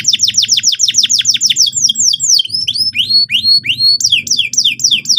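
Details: Canary singing to stir another bird into song: a fast series of steeply descending whistled sweeps, then slower rising slurred whistles in varied phrases, with faint low background hum.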